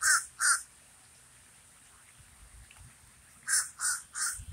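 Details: Common raven giving two loud hoarse caws, falling quiet for about three seconds, then three more caws in quick succession against faint background noise.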